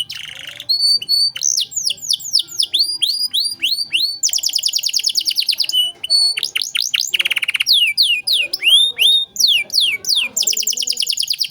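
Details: Long, varied canary song, gacor with cengkok mewah phrasing, played as tutor material for young songbirds: fast rolls, steep sweeps, buzzy bursts and whistled notes follow one another almost without pause.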